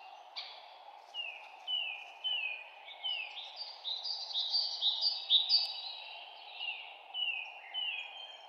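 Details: Forest birds singing in spring: clear, high whistled notes that slide downward, repeated in a quick, uneven series about twice a second, with overlapping phrases from more than one bird over a steady low rushing background.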